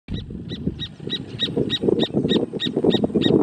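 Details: A pair of horneros in the Amarras del Gualeguaychú private protected natural area, marking territory. Their notes come as a fast, steady run of loud, sharp calls, about ten in three seconds, over a low rumbling background.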